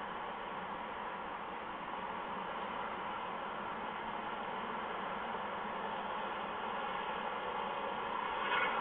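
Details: Constant broadband hiss runs throughout, rising slightly at the very end, with no animal voices.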